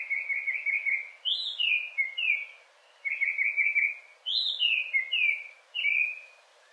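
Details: Hwamei song from Hawaii: loud repeated phrases. A rapid trilled run is followed by several slurred whistled notes, then the whole sequence repeats almost identically after a short pause.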